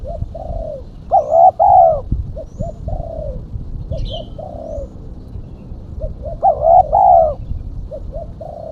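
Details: Lure call of a female spotted dove: two loud, rolling double coos about five seconds apart, each trailed by softer short coos. A brief high chirp from another bird is faintly heard.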